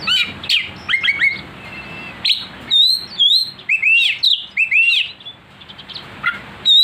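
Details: Oriental magpie-robin provoked into aggressive, emotional singing: loud varied whistled phrases, rising and falling slurs and sharp chirps, delivered in quick bursts with short pauses, clean with no other sounds.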